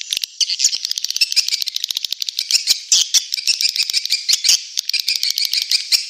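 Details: Swiftlet calls used as a lure to attract swiftlets to stay in a nesting building, suited to new buildings: dense, rapid, buzzy chattering twitters repeated many times per second throughout.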